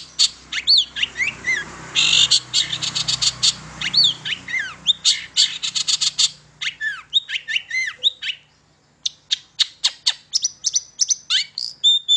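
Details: Long-tailed shrike in full song, a lure meant to set other shrikes singing: fast, varied chattering with a harsh noisy burst early, then streams of sharp high chirps and slurred whistles.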